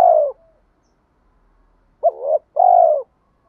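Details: Spotted dove decoy call for attracting wild doves: a falling hollow coo, a quiet pause, then a wavering double note and a longer steady descending coo.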